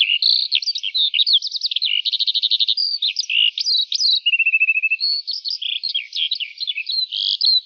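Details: Eurasian skylark singing in the morning, pouring out an unbroken, high warbling song of rapid trills, buzzy runs and chirps, with no pauses and no other sounds.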